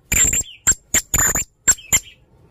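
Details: Male blue-crowned hanging parrot in konslet teler main singa style, giving short harsh high bursts and clicks with a thin descending squeak between them.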